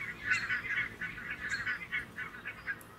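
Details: Grazing barnacle geese on full alert as two red foxes close in: a dense flock chorus of short, yapping honks, overlapping and repeated several times a second with no pause, over a low background hiss.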